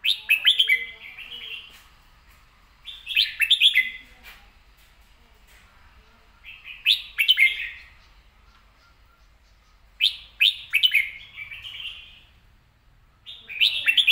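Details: Red-whiskered bulbul in a cage sings a clear, fast-delivered song: five similar phrases of rapid rising and falling whistles, each about a second long, repeated every two to three seconds.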